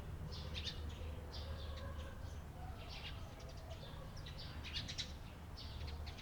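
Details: Eurasian tree sparrow chirping on 28 April 2022, with clustered, sharp tweets in uneven bursts throughout and a steady low droning hum behind them.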